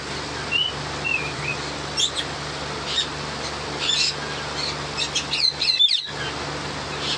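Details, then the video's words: Yellow ringneck parrot, a rose-ringed parakeet, gives short, high chirps and a few sharper squawks in scattered bursts, over a steady low hum and background hiss. "Yellow Ringneck parrot"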